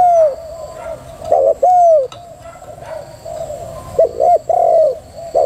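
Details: Low cooing of a female spotted dove: a falling coo, a doubled note plus a long coo, a quieter pause with faint coos, then the doubled-note and long-coo pattern again.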